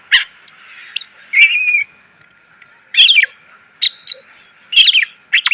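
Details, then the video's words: Clear, loud greater green leafbird song for training cage birds, full of varied phrases: sweet drawn-out whistles, high thin tinkles and sharp slurred notes in an irregular sequence. "MASTERAN CUCAK IJO SUARA PLONG!!! ..penuh isian.."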